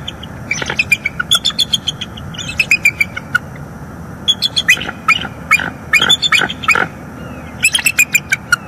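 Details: Wild bald eagle pair calling together while mating in the morning at a northeast Florida nest, 25 October 2021, captured by a live nest camera: rapid bursts of shrill, squeaky chirps and chitters, some notes sliding downward, separated by brief pauses.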